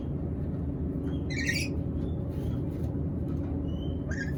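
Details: Black-capped lory, hungry, lets out a short raspy squawk, then a weaker rough call near the end. Faint whistled notes and strong low rumbling noise fill the background.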